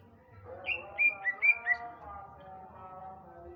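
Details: Male greater green leafbird from Sumatra singing in the afternoon: five clear, high whistled notes spaced about a quarter second apart, with steady low tonal sounds running underneath.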